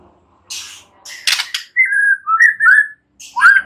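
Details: White-rumped shama song: mellow whistled phrases that swoop up and down, delivered in short bursts with brief pauses, after some scratchy rustling sounds at the start.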